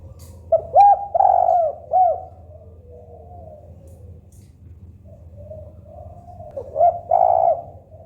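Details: Spotted dove, local type, utters a cooing phrase with a long central coo and a curved final note, then a soft lull before another coo begins, against a low steady hum.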